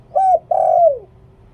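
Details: Single cooing phrase from a spotted dove used as a decoy, หลิ่วตัน style: a steady short coo, a brief break, then a long full note that slides downward at the end.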